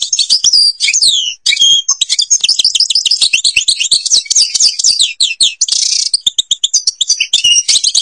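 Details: European goldfinch from the Babas forest, Tiberli, Algeria, in long continuous song: quick tinkling twitters, rolling trills and short nasal buzzy phrases delivered almost without pause.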